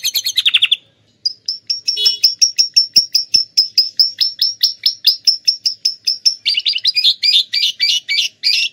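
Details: Lovebird-filled canary song: a quick buzzy phrase, a pause, then an extended run of sharp high ticks at steady pace, closing with a raspy, scratchy burst of rapid notes.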